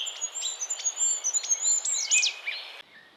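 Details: Goldcrest singing in Estonia: a very high, thin series of rapidly repeated notes, quickening into a short flourish near the end, with softer chirping from other birds at a lower pitch beneath.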